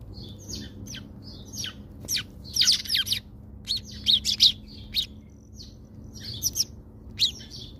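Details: House sparrows at a feeder in South Africa, visiting for food: dense bursts of short, sharp chirps and tweets, several overlapping, clustering around mid-clip, over a steady low hum.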